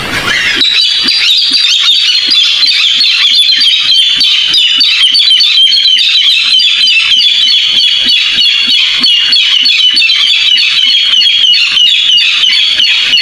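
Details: Barred rail (Hypotaenidia torquata), call.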